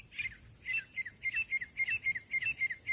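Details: Francolin, known as teetar, among bush dwellers in a hunting context. Faint, downslurred chirping notes repeat at a quick, steady pace over a background hiss.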